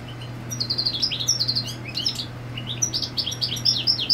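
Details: Territorial song of a European goldfinch, female on the nest nearby; a continuous, fast jumble of high tinkling, twittering and buzzy notes with rising and falling slurs, against a faint steady hum.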